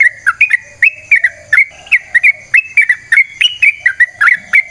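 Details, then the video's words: Yellow-vented Bulbul (trucukan) in full long-phrased song, played to draw other birds into singing: short liquid bubbling phrases repeated in quick succession, each a slurred whistle-and-chuckle, with a faint lower murmur underneath. "Trucukan GACOR ngalas ROPEL PANJANG suara alam AMPUH buat pancingan"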